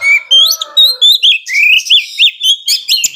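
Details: Oriental magpie-robin singing actively in an agitated display style, used to provoke slower-tempered rivals; high clear whistles and quick rising-falling slurred notes, about four per second, with a short chattering burst near the end.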